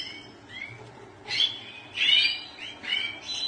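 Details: Goldfinch song comes in three loud bursts of twittering, slurred notes after a quieter start, with a faint low hum behind.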